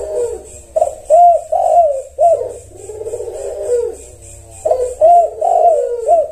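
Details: Zebra dove song used to provoke a response: repeated phrases of low bubbling coos, one with a long rolling stretch, returning every few seconds over a constant high hiss.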